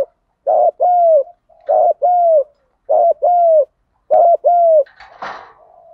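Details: Spotted dove cooing in the 'thúc gù' style used to excite and train decoy birds: four quick double-note coos about every second, a brief scratchy rustle at the end.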